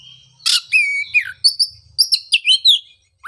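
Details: Oriental magpie-robin song played as therapy to restart singing in a bird silent after moulting; a harsh burst followed by clear sustained whistles and quick sweeping chirps, with faint low rumbling beneath.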